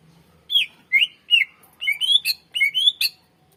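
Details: Greater green leafbird in continuous full song, played as a master recording to lure and train other birds: a series of about eight short, bright, upslurred whistles, each roughly half a second apart, over a quiet background.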